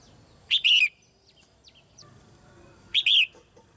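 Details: Female red-whiskered bulbul in a cage, singing so that young birds sing more: two brief, sharp, high chirping phrases about two and a half seconds apart, each with a quick rising-then-falling lilt, and faint soft notes between.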